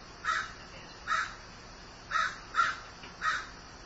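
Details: Five rough, croaking caws from a grieving crow, unevenly spaced with a longer pause in the middle, over soft steady hiss.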